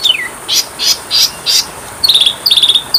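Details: Oriental magpie-robin (kacer) training song. A descending whistle opens the passage. Four short, loud buzzy bursts follow at regular spacing, then quick twittering clusters of high notes.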